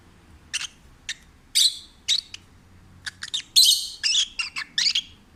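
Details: Pet peach-faced lovebird, an adopted stray, singing while relaxed and happy: bursts of sharp, bright chirps and short squeaky notes, some single and some in quick clusters, with irregular pauses and a quiet room behind.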